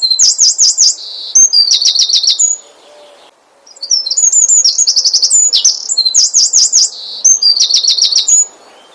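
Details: Asian brown flycatcher song, played to provoke other birds into singing: high, rapid trilled phrases of repeated sharp notes, some zigzag-shaped, in bursts separated by a short quiet gap; no other clear sounds.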